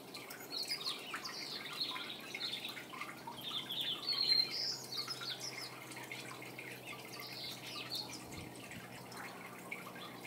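House sparrow giving busy, repeated high chirps at a fast, uneven pace, several notes a second, over a faint steady background hum.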